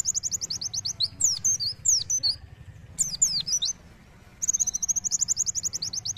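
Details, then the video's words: Singing oriental white-eye (pleci) delivering sharp, energetic phrases: a fast run of repeated bright notes, several high looping swept chirps, a short silence, then another rapid repeated-note series, all above a low hum. "Pleci Gacor Nembak Tajam"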